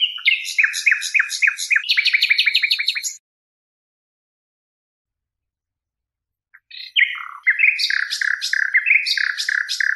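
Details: Nightingale singing: rapid series of repeated buzzy and whistled notes, then a long pause, then a new phrase of varied rolling notes and fast repeated elements. Clean recording with no other sounds.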